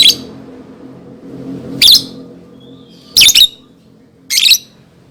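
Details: Shrill lovebird calls used to prompt young birds: four sharp, piercing chirps spaced over five seconds, one doubled, with a brief thin whistle before it and a low hum in the background.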